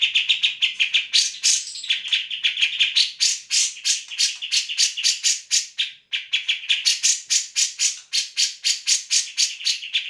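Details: Energetic grey-cheeked bulbul singing, used to teach songbirds such as magpie robins and green leafbirds: a dense, continuous stream of rasping, rattling notes delivered rapidly, about four each second, with a short break near the middle.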